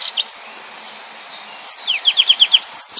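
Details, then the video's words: Yellow-fronted canary singing: a thin drawn-out whistle, then after a pause a run of six rapid, evenly spaced descending chirps at high pitch. "Burung Mozambik Gacor||Suara Nembak Full Rapet"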